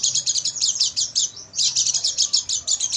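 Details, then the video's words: Caged-bird training recording of an Oriental white-eye at night: dense, high-pitched chirps repeated rapidly, with a short slurred dip in the middle before the quick twittering continues. "MASTERAN PLECI MALAM HARI,AGAR PAGI GACOR BUKA PARUH dan bongkar isian"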